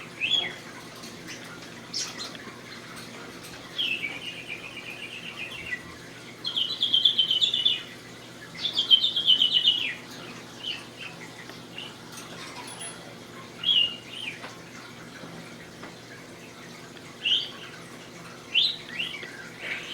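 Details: A male English budgerigar chatters in high, scratchy warbles, with brief buzzy bursts mimicking farting sounds, which he learned within about a day.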